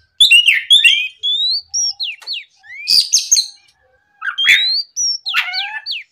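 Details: Lure recording of an Oriental magpie-robin in morning song, meant to provoke rivals: phrases of pure rising and falling whistles mixed with dry clicks and chatter, with short silences between them.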